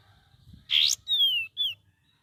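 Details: Young sooty-headed bulbul learning to sing: a loud buzzy upward-sweeping note, then a long clear whistle sliding downward and a short whistled note, over a quiet low hum.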